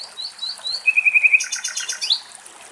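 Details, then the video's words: Common nightingale singing in Axios Delta National Park, Thessaloniki, Greece: thin rising whistles, a quick run of five clear repeated notes, then a loud buzzy rattle and a sharp upswept note. "Αηδόνι Κελάηδημα"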